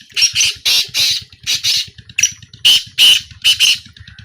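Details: Black francolin heard in a small calling trial in 2025, giving loud, harsh, grating notes in quick clusters of two to four, with short pauses between bursts over a steady low rhythmic throbbing.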